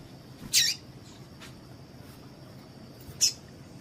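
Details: Two sharp, high, raspy calls from a female double-collared seedeater, a little under three seconds apart, a call that excites males to sing; background hiss and a thin steady high whine.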